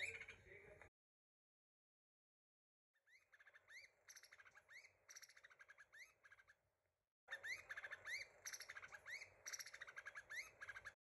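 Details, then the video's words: Formosan (White-whiskered) laughingthrush, a Taiwan endemic of high-mountain mixed coniferous and broad-leaved forest above 2,000 m, gives short, rising whistled notes in quick bursts, with a soft background hum and other chirps between gaps of silence. "Formosan Laughing Thrush & its sounds 金翼白眉/台灣噪眉"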